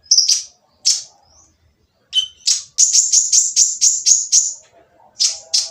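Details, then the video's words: Olive-backed sunbird, kept as a songbird, giving a rough, noisy song meant to provoke quiet birds into singing: high scratchy chips, then a fast run of about nine sharp buzzy notes, then two more harsh chips. "konin yang diam malas bunyi akan nyaut jadi gacor setelah mendengar suara konin berisik ini !!"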